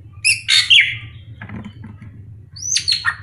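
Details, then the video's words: Srigunting krantil drongo with a varied voice: a harsh rasping burst with a falling whistled end, a quiet gap with faint clicks over low hum, then a rising buzzy phrase and a sharp note. "Pancingan Srigunting Krantil Gacor"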